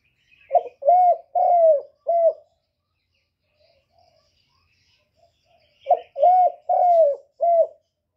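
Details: Spotted dove cooing as a lure for other doves: two matching phrases about five seconds apart, each of four low coos with the third drawn out longest.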